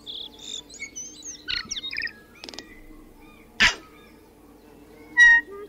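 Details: Tui song of scattered whistles, twangy slurred notes and dry clicks, broken by two sharp loud cracks near the middle and end, one followed by a ringing bell-like tone; a constant low hum underneath.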